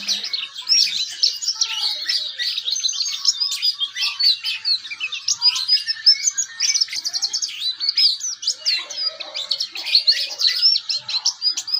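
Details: Ngeriwik-style song of a young oriental white-eye still learning, used as a tutor recording: a long, busy run of thin, high twittering notes and short trills, loud and continuous throughout.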